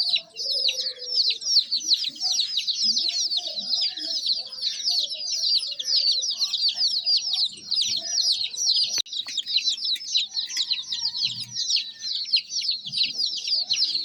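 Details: A flock of baby chicks keeps up a thick, continuous chorus of shrill, falling chirps for the whole stretch, very even in loudness, with faint low sounds in the background.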